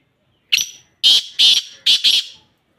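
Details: Black francolin (kala teetar) giving one harsh, grating phrase of five loud, scratchy notes, the last ones paired in quick succession, with silence before and after.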